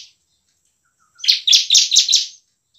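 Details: Bar-winged prinia singing frequently and emotionally in ngebren and nembak style, used as a lure for lazy prinias: after a brief faint note and silence, one burst of about five loud, buzzy, high chipping notes in quick succession.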